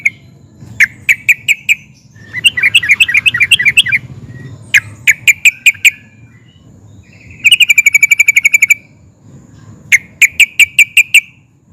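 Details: Excited sooty-headed bulbul in nguplik and ngerol song, provoking others to reply: spaced sharp clicking notes, a bubbly warbled phrase, then a fast rolling trill of evenly repeated notes, with a low steady hum beneath.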